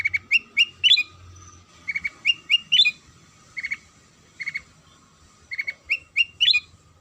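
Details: Sooty-headed bulbul lure song to set other bulbuls singing: clusters of three or four sharp, bright chirps repeated in quick groups, about seven phrases across several seconds, steady hum underneath.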